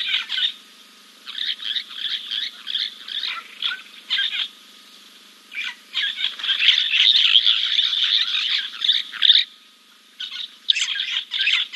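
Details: Giant kingfisher preening after a dip at King's Camp, recorded on 2 April 2024. Harsh, clicking notes run in rapid rattling bursts, broken by short pauses, with a louder, denser stretch near the middle.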